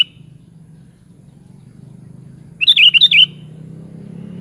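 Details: Sooty-headed bulbul song: a single lively burst of five or six rapid, liquid, up-and-down notes after near silence, with a faint low hum in the background.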